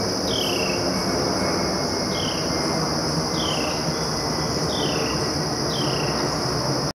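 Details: Carolina wren 'cheer' song at Jarvis Bird Sanctuary, Chicago, on 29 August 2012: five clear, down-slurred whistled notes, about one per second, over a steady high insect drone and low rumbling background noise.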